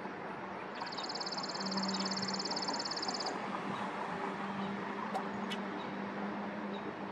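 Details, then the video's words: Chipping sparrow singing a single high, dry, rapid trill of evenly spaced notes lasting about two and a half seconds, over a steady low hum and a couple of faint clicks afterward. "Chipping Sparrow singing"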